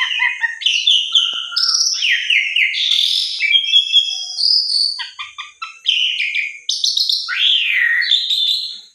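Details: Javan pied starling song used as a lure to get silent or stressed birds singing: loud, varied phrases of clear whistles, rising and falling slurs and quick chattering notes, delivered almost continuously with short pauses between bursts.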